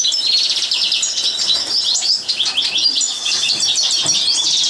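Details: Goldfinch recorded in a live training session, delivering rapid liquid twitters mixed with sharp high chips and brief buzzy rattles in an unbroken stream, the phrases tumbling quickly one after another against a quiet background.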